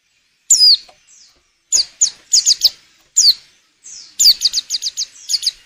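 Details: Female white-eye in breeding condition, kept to make males sing for luring; high, thin descending whistled notes in bursts, then a rapid run of short chirps near the end.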